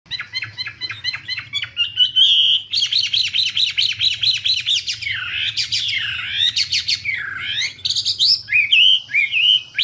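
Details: Wambi singing vigorously, a fast run of short repeated chirps that gives way to sweeping whistled notes and looping warbles, loud and continuous, with a low steady hum underneath.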